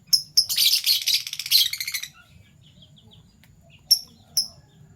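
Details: Fischer's lovebirds, a PB Violet and a Euwing Gold Opaline colour form, in the morning: two sharp high chirps, then a dense harsh chattering burst for over a second, quiet, then two more piercing chirps.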